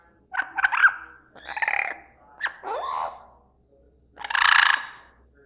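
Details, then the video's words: Parrot calls in a loose series: harsh, raspy squawks and short slurred notes separated by brief pauses, ending in a longer hoarse screech, with a faint low hum behind. "Nice tweeting of parrots"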